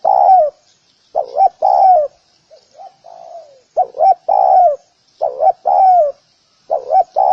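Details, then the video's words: Repeated cooing of a spotted dove luring others: about five phrases, each of two clipped coos and a longer sliding coo, with faint soft coos between them. "Tiếng cu gáy gù kích bổi nhanh nổi"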